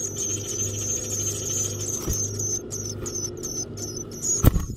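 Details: Black-capped chickadee nestlings in a backyard nest box, fed by both parents, beg with thin, very high squeaks, first in a rapid stream and then in short bursts, over a low steady hum and a sharp knock.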